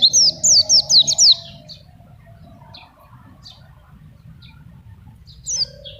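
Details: Oriental white-eye in full song, kept on banana alone as a training tutor for young birds and to lure wild ones; a fast burst of five or six high slurred chirps, then faint scattered notes and a steady hum.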